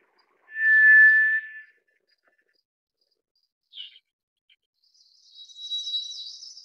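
White's thrush gives a long, thin, even whistle lasting over a second, then after a pause a brief soft note and a higher, fainter drawn-out whistle.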